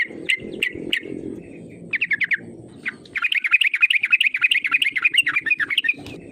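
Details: Yellow-vented bulbul call meant to excite rival birds into singing; a few spaced chirps, a short burst of quick notes, then a long, loud, fast bubbling trill lasting about three seconds.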